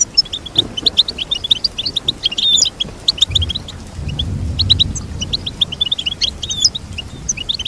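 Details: Goldfinch twittering steadily, with high chirped notes in near-continuous rapid series and scattered brighter whistles, over a low murmur.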